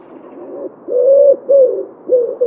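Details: Wood pigeon recorded in Wittlich, 2017, giving low, breathy cooing notes in a rhythmic run, each coo held briefly with a slight rise and fall, faint background hiss.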